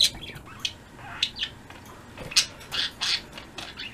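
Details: Budgerigar flock kept as pets, afternoon of 02.03.16, giving dense overlapping chirps, squeaky notes and warbling trills, several birds calling almost continuously.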